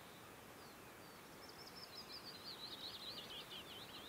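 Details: Wild willow warbler singing in early summer, late June to early July, near Hallingskarvet mountains in Buskerud County, Norway: a high, sweet, softly descending warbled phrase that starts faint and fades out over steady background hiss.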